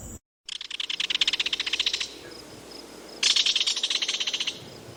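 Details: Kingfisher call: a dry, rapid rattle of sharp high notes lasting about one and a half seconds, a pause, then a second similar rattle, over steady outdoor background hiss.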